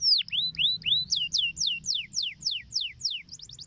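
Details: Canary song played to coax young canaries into singing quickly: a steady series of loud, clear whistled notes, each sweeping down sharply from high to lower pitch, about four per second, ending in a quick run of short notes.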